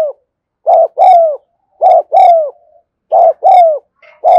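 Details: Spotted dove in the afternoon giving loud, close paired coos: a short burst then a longer, resonant, falling note, repeated roughly every 1.3 seconds, with a faint higher tonal overtone.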